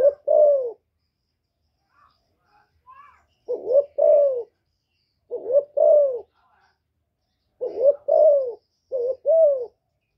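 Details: Caged female spotted dove cooing to stir up newly kept males: four paired coo phrases, a short note plus a longer descending one, spaced a couple of seconds apart, with faint soft chirps between.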